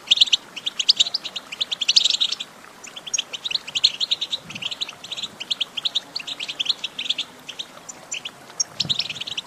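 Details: Goldfinch song, used for training a pet goldfinch to sing: dense, rapid high twittering and chirps in quick bursts, nearly continuous, with a short lull before the final outburst.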